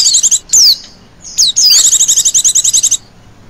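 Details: Female Oriental white-eye giving a chirring 'ngecir' lure call: two sharp descending high whistles, then a long fast trill of even buzzy notes lasting over a second, on a quiet background.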